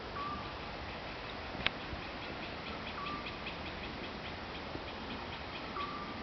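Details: Eurasian scops owl (Otus scops) in Croatia giving its short, soft, level whistled note, repeated about every three seconds, over steady insect ticking and a hiss of background noise.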